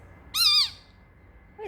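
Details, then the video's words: Pet parrotlet, bored on a warm Friday afternoon, making funny noises to entertain himself: a single loud, harmonic-rich squawk with a wavering contour, followed by a softer, lower, downward call. "feeling bored, making funny noises, calling mommy"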